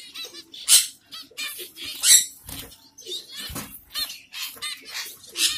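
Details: Several finches in Kerala, among them zebra, Bengalese and yellow-necked finches, chirp together in a busy stream of high, squeaky notes and short buzzy bursts.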